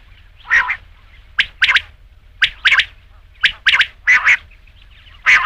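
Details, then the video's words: Rain quail call: repeated harsh double notes, some fuller and hoarser, spaced about a second apart with silence between them. "batair ki awaz raat ke liye | rain quail sound"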